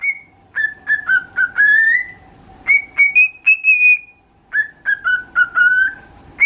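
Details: Cockatiel (pet, named in title) sings its daily learned tune, meant as the Japanese children's song "Usagi to Kame" (Moshimoshi Kameyo), in clear, bright phrases of short notes; repeated every day.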